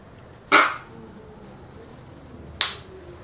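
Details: Caged pair of eclectus parrots during courtship preliminaries, January 2014: two sudden harsh screeches two seconds apart, the first broad and loud, the second shorter and higher, over quiet background.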